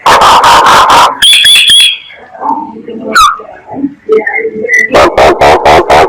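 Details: Myna lure call: loud harsh buzzy bursts repeated about every quarter second, then a thin high whistle, scattered chattering and squeaky notes, and a final series of rasping bursts.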